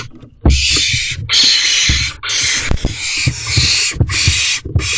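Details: Owlet barn owl inside a nest box at night, 16 May 2023, still begging its parents for food: loud, drawn-out rasping hisses run almost without pause, mixed with soft knocks and shuffling thumps.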